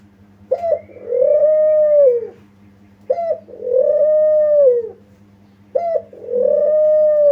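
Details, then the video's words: Spotted dove lure call used to make other doves answer: a short clipped note followed by a long, even, purring coo that falls at the end, repeated about every two and a half seconds, three times, over a steady low hum. "pancingan ampuh gacor burung kuter di jamin nyaut"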